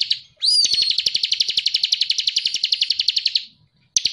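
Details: Ciblek cristal, the Bar-winged prinia, singing for songbird training in ngebren style: a clear upward-sweeping note leads straight into about three seconds of rapid, metallic repeated high notes that stop abruptly, then start again.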